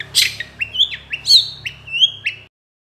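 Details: Long-tailed shrike (cendet) song from a master recording for training songbirds: a series of whistled notes with sharp rising and falling bends, repeated about every half second, plus a harsh opening note, over faint low hum.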